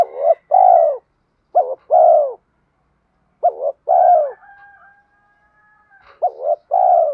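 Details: Spotted dove cooing in the 'gáy thúc' and 'gáy gọi' styles, used to train and lure other doves: four low, hollow phrases, each a short note, a long purring note and a clipped ending, with a faint thin whistle between phrases.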